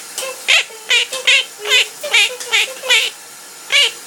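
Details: A male pet parrot that often sings while his owner showers, and also talks, sings a quick string of warbling whistled notes, about nine in four seconds, each sliding and wavering in pitch, in a quiet indoor room.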